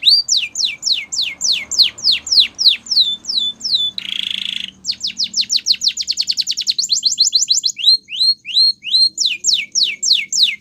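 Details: Canary training song with repeated falling whistles, a short burst of noisy sound midway, then rapid trills, rising upslurred notes and more descending sweeps.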